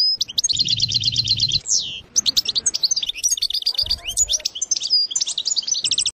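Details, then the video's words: European goldfinch singing the sarsara trill: a long fast metallic trill ending in a downslur, then excited tumbling twitters, a short clear whistle and more trilled runs; low hum in places. "اقوى حسون يسرسير بتغريد"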